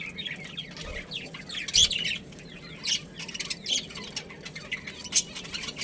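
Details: Budgerigars kept as a breeding pair: low-level, continuous twittering and warbling with a few sharper chirps spaced through the stretch.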